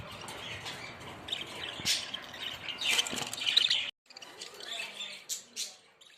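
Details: Budgerigar flock warbling and chirping, with bright squeaky notes building up before a sudden break, then softer scattered chirps resume.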